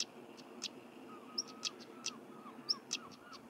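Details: In Cornwall, England, a stonechat gives sharp, stone-tapping clicks about every half second, mixed with thin, high whistled notes, with faint lower slurred notes in the background; European stonechat.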